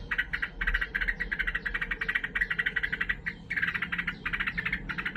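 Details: Sooty-headed bulbul (trucukan) singing in an agitated, fighting mood: loud, rapid bubbling chatter of buzzy notes, delivered in dense bursts of several notes per second with brief pauses between bursts.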